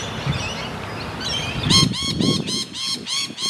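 A Sulphur-crested cockatoo gives a fast run of six harsh, nasal squawks, about three per second, over a low rumble with faint chirps of other birds.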